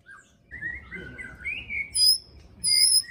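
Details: White-rumped shama in 'pastol fighter' singing style, used to provoke other shamas into song: a run of clear whistled notes sliding between mid and high pitch, ending in two piercing high pure tones.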